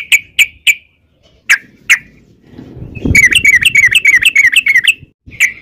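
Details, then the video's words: Yellow-vented bulbul in gacor ropel style: a few widely spaced sharp notes, then a fast rattling run of repeated chirps lasting about two seconds over a low rumble, ending with a single note. "trucukan gacor ROPEL PANJANG"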